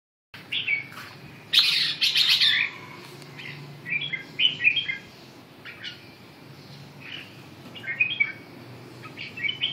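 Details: Red-whiskered bulbul giving short, bright warbled phrases of liquid whistled notes in bursts separated by pauses, over a low steady hum.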